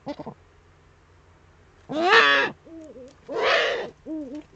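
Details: A male Eurasian eagle-owl brings a prey gift to the female at a webcam nest in the Eifel, 23 February 2015, evening: harsh hissing screeches broken by short, wavering, nasal hooting notes.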